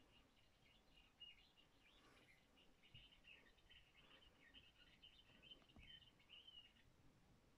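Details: Common house martins at Güttenbach on 12 August 2020 give lure calls that attract a fledgling: a steady stream of dry, high chirrups and twitters for most of seven seconds, over a soft rumble of outdoor noise.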